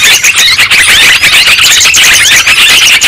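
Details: Yellow-vented bulbuls (trucukan) in a noisy calling chorus used as a lure to draw down wild birds. Dense, overlapping sharp chirps and chattering notes, loud and continuous, with bursts pulsing roughly every second.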